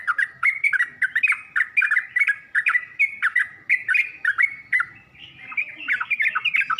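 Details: Yellow-vented bulbul training song meant to lure and teach birds to sing: a long, steady run of quick, liquid chattering phrases, each a cluster of rising and falling notes, continuing without a break and growing busier near the end.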